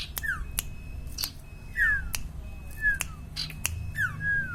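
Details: Common iora, locally called sirtu or cipaw, in full song: clear downward-sliding whistles about once a second, with loud sharp clicks between them and a steady low hum.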